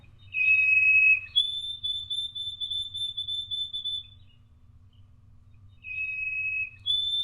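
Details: White-throated sparrow (Zonotrichia albicollis), song.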